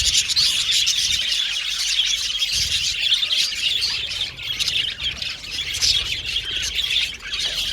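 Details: Aviary budgie colony: squawky chirps and rapid twittering overlap in a busy chorus, dipping briefly in loudness late on before resuming.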